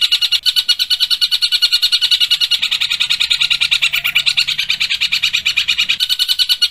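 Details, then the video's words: A long-tailed shrike sings an unbroken, high, harsh chatter of rapid notes, about three a second, imitating a large cuckooshrike's calls, over a faint low hum. "Cendet Tembakan Tengkek Buto"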